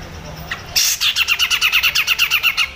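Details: Cucak jenggot singing a master song for training other songbirds: a sharp high note, then a rapid run of about fifteen evenly spaced bright chattering notes.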